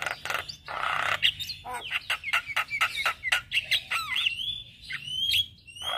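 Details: Morning singing of a male Javan myna, used to lure and tutor starlings: a noisy rasp, quick clicking series, then clear upslurred and looping whistles.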